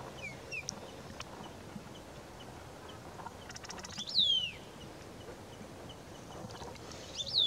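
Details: Orange bullfinch in Kashmir, while bathing, giving clear, high piping whistles that slide downward, spaced a few seconds apart, over a steady soft background hiss.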